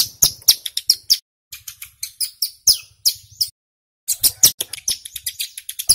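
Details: Male mountain prinia (ciblek gunung) singing loudly in the rapid, tight-fire style, used as a lure for wild birds: sharp, high, metallic chips in fast bursts, with brief silent gaps between runs.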